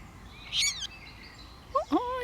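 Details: A moorhen chick, possibly fallen from its nest and calling for a parent during a thunderstorm, gives a thin, high, wavering peep, then lower brief calls follow, over a steady wash of rain.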